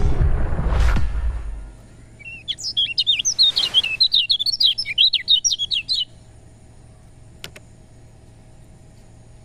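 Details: Lemon-bellied white-eye song used to get reluctant birds singing: a burst of quick, high, chattering notes lasting about three and a half seconds, preceded by a loud low thump and then quiet with faint clicks.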